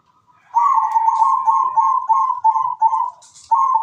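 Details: Zebra dove, a singing bird in full song: a long, mellow, rolling coo series of rapid bubbling notes at a steady pitch, broken by a short pause and resumed.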